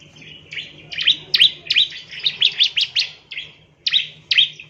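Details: Bar-winged prinia chirps used to lure and train ciblek birds: harsh, buzzy chirps in quick bursts, some loud and sharply accented, against a low hum and soft background noise.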